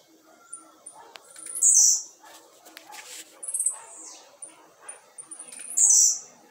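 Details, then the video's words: Blue-black grassquit put outdoors on a Tuesday at a quarter past five in the afternoon by its keeper: two loud, high, buzzy bursts about four seconds apart amid faint chirps and scattered background noise. "TIZIU LUXO TOP ASSIM COMO VC NUNCA SHOW SEUS CANTOS"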